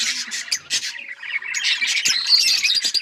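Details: High, quick chirps and squawky twitters from Australian parrots, starting as separated bursts and then merging into a continuous overlapping chatter.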